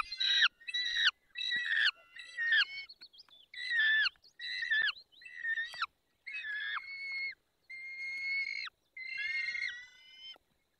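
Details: Peregrine falcon at feeding, Barycz Valley, 20 May 2021, 10:22: about ten clipped, harsh cries with downward-bending tails, spaced roughly every second, the last few longer and steadier.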